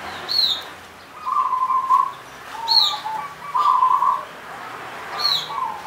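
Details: Zebra dove, a local Punden bird from the Mount Slamet slopes in Banyumas, sings repeated bursts of rapid purring coos, each under a second. High, sharp, down-slurred chirps from another bird recur about every two and a half seconds.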